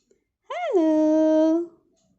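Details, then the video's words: Pet parrot indoors imitating human speech, saying 'hello' and 'how are you': a single voiced, vowel-like tone about one second long, rising briefly at the start and then held steady before fading. "Parrot saying Hello - How are you"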